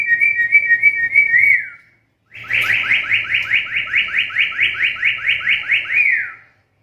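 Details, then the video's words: Black-capped lory with a call said to be uncommon in other lories and good for songbird training: a steady whistle dropping at the end, then a fast series of rising whistled sweeps, about four per second, closing with a downward slur. "Suara panggilan burung nuri kepala hitam ini jarang dimiliki nuri lain"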